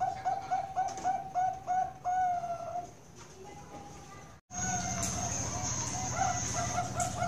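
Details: Bangkok-type zebra doves, perkutut, at a bird farm in Kroya, Cilacap, Central Java, Indonesia: a run of short cooing notes at an even pitch and rapid pace, then a steady background hiss with more coos.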